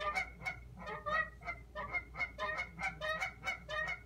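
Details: Geese calling outside a window on March 17, 2017: a steady series of nasal honks, several birds overlapping, about one and a half honks per second with uneven spacing, over a low background hum.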